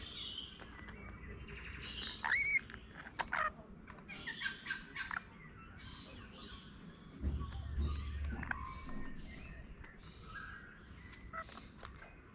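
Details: Rainbow lorikeets in Melbourne, 2020, feeding and performing a mating dance. Harsh, buzzy screeches and rasping chatter come in irregular bursts, loudest near the start, with a low rumble in the background partway through.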